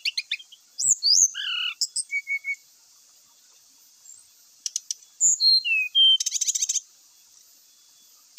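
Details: Brown-chested jungle flycatcher singing a flute-like lure song meant to provoke other males into fighting: scattered clear whistles slurring downward from very high to mid pitch, a short run of level piping notes, then dry rapid buzzy trills, over a steady high hiss.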